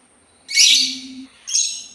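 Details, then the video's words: A sultan tit utters one loud, rasping, high note that trails off, then a shorter, thinner follow-up burst half a second later. "suara burung labet Sultan"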